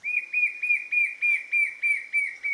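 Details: White-shouldered Fire-eye song in coastal Atlantic Forest of Paraná, Brazil: a steady series of about nine clear, slightly falling whistled notes, roughly three per second, on an even mid-high pitch.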